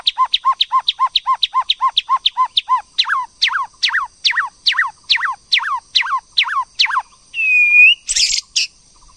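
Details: {'caption': 'White-rumped shama female and male, the female stimulating the male to sing: a long, loud series of quick repeated down-slurred notes that gradually slow and lengthen, then a wavering whistle and a harsh burst.'}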